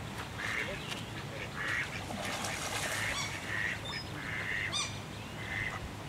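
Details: Common goldeneye ducklings at Tampere Arboretum, Finland, give thin, high peeps, single or paired, about once a second, over a steady rushing background of wind or water.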